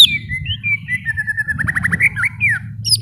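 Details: Varied leafbird song of slurred whistles, drawn-out descending notes and a quick run of short rising notes, somewhat softer, with a steady low hum underneath.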